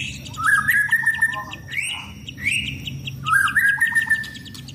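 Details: White-rumped shama, a caged bird kept for contests, singing while put out for routine sunbathing. Loud whistled phrases slide and hold steady, separated by short pauses, with thin high chattering notes from other birds above.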